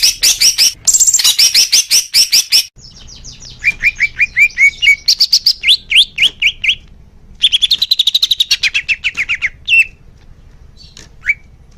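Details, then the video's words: Leafbird song used for young birds' therapy, made of rapid high chattering series, a run of ringing upslurred notes, a fast twitter and scattered final whistles. "suara kicau murai daun untuk terapi burung bakalan"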